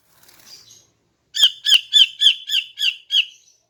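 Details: Morning song of a female greater green leafbird, used to draw males: a soft, high twitter, then seven loud, evenly spaced, sharp chirps delivered about four each second.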